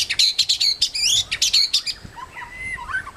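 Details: White-rumped shama singing in a protected forest: a rapid run of bright, loud chirped notes at about two per second, then softer varied whistles and trills fading into the background.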